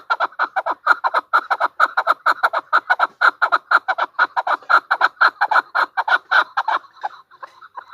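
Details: Sustained, strongly rhythmic chuck-chuck calling from a female chukar partridge, about two notes a second, trailing off into softer clucks at the end.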